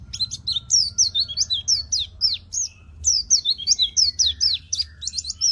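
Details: Lively singing white-eye, played as a lure and master song for lazy singers: continuous high, sweet whistled notes with quick downward and upward slurs, repeated several times a second with hardly a pause.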